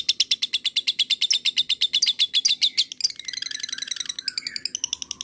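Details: Lovebird 'ngekek' chatter meant to make others reply: a rapid series of piercing repeated notes for three seconds, shifting into a busier, warbling jumble of mixed chirps and lower twitters.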